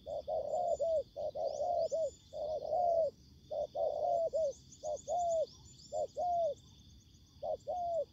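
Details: Spotted doves in ground-decoy trapping: a seasoned decoy meets a fierce wild bird ready to fight. Rapid series of short, mellow, hooting coos in bursts with brief gaps, seemingly overlapping birds, over a steady high insect-like hiss and faint chirps.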